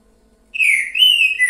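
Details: A green-winged saltator in boiadeiro style delivers two bright, sustained whistles, the first gently falling, the second steady and slightly higher, ending abruptly as a new note begins.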